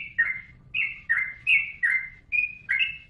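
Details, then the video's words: Yellow-vented bulbul singing, meant for tutoring cage birds: clear liquid whistled phrases, each a quick downward slur into a held note, repeated about every half second. "Suara Burung Trucukan | Gacor"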